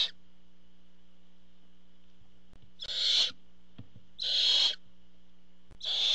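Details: Barn owl at the nest as the father brings food: three long, breathy, rasping hisses spaced about a second and a half apart after a quiet start, over a constant low electrical hum.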